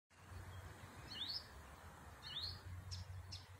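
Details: Blyth's reed warbler at Górki Czechowskie, Lublin, Poland, 26 May 2019: two rising, whistled slurs about a second apart, then two short high notes, over a low, steady rumble.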